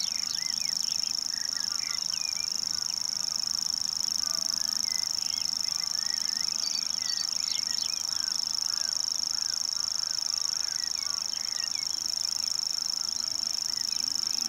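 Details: Grasshopper warbler delivering its long unbroken reel, a high mechanical trill sustained for the whole stretch, while a busy chorus of other birds chatters and honks lower down.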